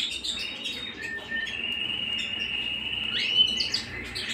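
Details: Canary singing at home: a long sustained whistled trill held steady through most of the phrase, opening and closing with quick bright chirps and upward-sweeping notes.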